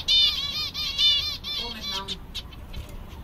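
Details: Seven caged finches, zebra finches among them, sound content on a summer day: bright nasal, harmonic beeping calls repeated in quick overlapping bursts during the first two seconds, then fading into softer scattered chirps.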